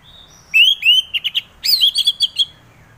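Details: Lure song of an orange-headed thrush: clear upslurred whistles, a few quick clipped notes, then a burst of loud warbling phrases with rapid chirps, sung close and clean.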